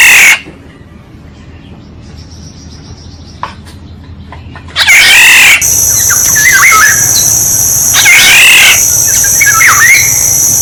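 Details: Black-naped oriole used as a decoy call: after about five seconds of near silence, loud harsh nasal bursts start, mixed with short curving whistles, over a steady high insect drone.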